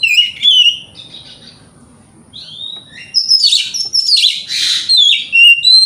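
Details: White-rumped shama in morning song to make rival birds answer: clear whistled phrases, a quiet stretch, then a loud, scratchy, fast-changing passage of whistles and rasps.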